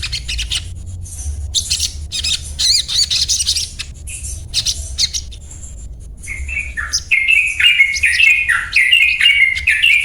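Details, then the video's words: A Crested Jay gives harsh, rattling chatter, then a fast run of repeated bright, chipping 'cuet' notes, about two per second, over a low background rumble. "Sogon Bunyi cuet cuet cuet"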